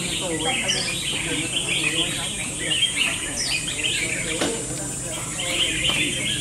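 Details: Red-whiskered bulbul song during round eight of a singing battle. It is a busy stream of sharp, chirpy warbled phrases with a few clicks. Faint human chatter sits in the background over a constant hiss.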